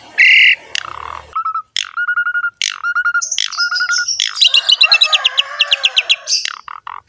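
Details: Asian pied starling singing lively and full of varied phrases: a loud harsh burst, a run of steady clear whistles, then a fast rhythmic stuttering series of buzzy chips over a low grating rattle, ending in sharp downslurred notes.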